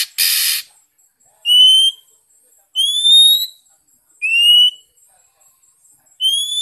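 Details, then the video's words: Oriental magpie-robin from Vietnam singing, played to prompt other birds to sing: a noisy burst opens, then pure upward-sliding whistles come at steady intervals of about one and a half seconds. "Kích chim chích chòe than hót , tiếng chỏ mồi hay nhất Việt Nam"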